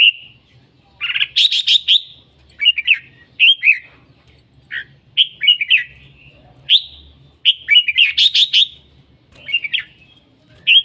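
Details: Red-whiskered bulbul singing vigorously in short bursts of bright, slurred whistles and chattering notes, with phrases repeated every second or two. A faint low hum lies underneath.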